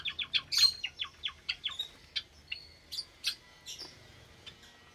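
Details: Java sparrows kept in an aviary cage where many chicks have hatched, Sunday morning, 8 May 2022; a rapid burst of about a dozen sharp, high chip notes that slows into spaced single chirps.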